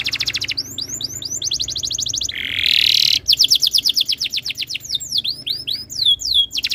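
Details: Canary master song used to get other canaries singing: fast repeated trills, a brief harsh buzzy burst mid-clip, then rapid rolling trills and sharp descending whistled sweeps.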